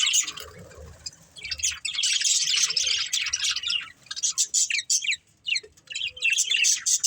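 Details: Budgies chirping while playing and eating: bursts of bright, twittering chatter, then a run of short, separate sharp chirps in quick succession, with faint low murmuring underneath.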